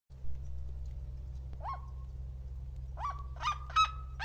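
A seriema gives loud yelping notes, each sweeping up then holding a steady tone, one alone then three in quick succession, over a constant low rumble.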